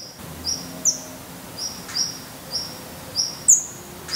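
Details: Hungry, feathered Black Redstart nestlings in a nest in Portugal, 17 May 2020, growing fast and losing their down. Thin, high, short begging notes come about every half second, fairly faint against a quiet background.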